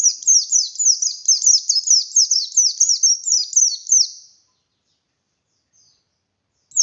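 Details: A kept buxtoni oriental white-eye singing hard in 'ngalas' style: about four seconds of quick, piercing, descending whistled notes repeated a little over twice a second, then silence and a brief final note.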